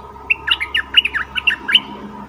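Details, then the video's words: A decoy bulbul, fully feathered and taken into the forest to lure wild rivals, sings one rapid chattering string of short liquid notes, rolling up and down, against a soft steady background hum. "เสียงนกดอกแตงEp.68นกต่อเจ้าแบงค์ ไม่เถียงนกป่าสักคำ!!แต่?? Suara merbah lekir gacor"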